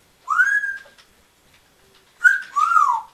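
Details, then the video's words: A Congo African grey parrot, bought at seven years old, talks and curses alone in a quiet room, with phrases like "yeah, man" and "want to come over?"; here two short, whistly, speech-like phrases about two seconds apart, each swooping up then sliding down. "Cussing and talking and some making some weird noise"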